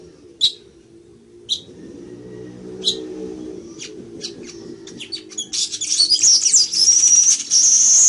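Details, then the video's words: Singing village weaver: a few spaced sharp high chips speed up into rapid clicking notes, then burst into a loud, sustained, sizzling buzzy trill that carries to the end, over a soft low rumble. "ASI ES EL TEJEDOR Y SU HERMOSO CANTO"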